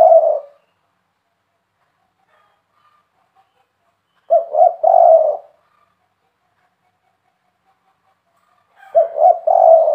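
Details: Low, mellow three-note cooing of a spotted dove, phrases repeated roughly every four seconds with silent gaps between, indoors and free of other sounds.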